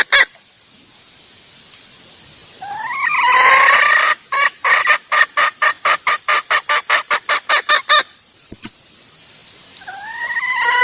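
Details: Female red junglefowl giving a lure call meant to draw males close: a rising, drawn-out harmonic note swells into a run of sharp, evenly spaced clucks, about two per second, then a fresh rising note starts at the end.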